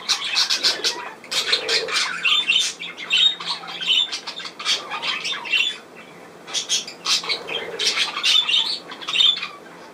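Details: Budgerigars, 10 June 2024: loud clusters of harsh squawks and clicks in waves, separated by short lulls, several birds calling together.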